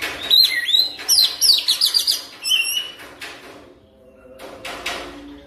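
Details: Kacer (oriental magpie-robin) lure song aimed at quick continuous singing: fast descending whistles and rapid chips for about three seconds, then a few scratchy broadband notes with quiet gaps.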